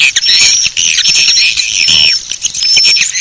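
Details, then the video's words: Swiftlet lure call of the Bangkit 18 type, used to attract swiftlets: dense, overlapping high chirps and thin whistled notes, repeated rapidly and irregularly, with a brief lower rasping burst near the middle. "Suara Panggil Walet Bangkit 18"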